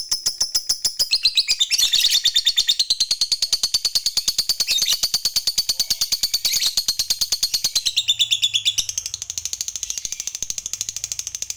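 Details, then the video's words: Lovebird lure recording of long ngekek chattering, used to agitate other lovebirds: a fast, unbroken train of sharp high chirps repeated several times a second, briefly swelling louder then fading slightly toward the end. "Bikin Lovebird Apapun Cepat Narik Ngekek Panjang"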